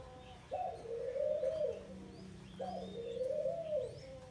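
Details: Spotted dove, wild-caught and kept caged for 12 days, cooing twice. Each is a sharp-onset, low, mellow phrase lasting about a second and a half, roughly two seconds apart, over a steady low hum.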